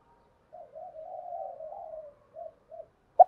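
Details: Decoy Spotted dove calling to provoke wild males into fighting and lure them in, in the 'thổ đồng' voice style: a soft, low rolling coo lasting over a second, then two short coo notes and a sharp click at the end.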